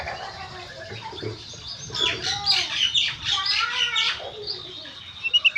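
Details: Oriental magpie-robin delivering gacor konslet song used to coax magpie-robins into singing. After a quiet start, a dense burst of harsh buzzy notes mixed with whistles runs for about two seconds, then softer notes and a few sharp clicks.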